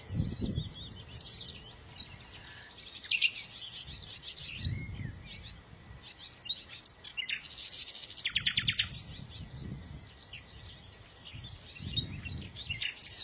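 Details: Several birds chirp and twitter continuously in high, jumbled phrases, with a dense buzzy burst around the middle; low thumping noises recur underneath.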